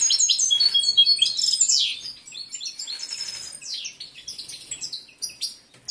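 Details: Male European goldfinch in breeding condition, a caged competition bird, singing a loud, fast twittering phrase that fades into scattered softer chirps and short call notes.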